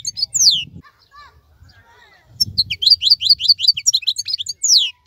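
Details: European goldfinch of the wild type singing while other birds moult; high slurred whistles and rapid twitters, a quieter pause with low rumbling noise, then a fast burst of repeated tinkling notes and a descending whistle.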